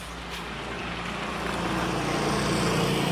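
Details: Steady road traffic rumble that grows louder over the few seconds, with broadband engine and tyre noise and no animal voices.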